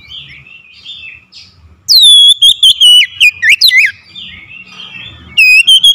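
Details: Oriental magpie-robin, a lure bird used to call a quiet bird into singing: loud whistled song phrases with harmonics, a long descending whistle then fast rising and falling notes in short bursts, soft chirps from another bird between phrases.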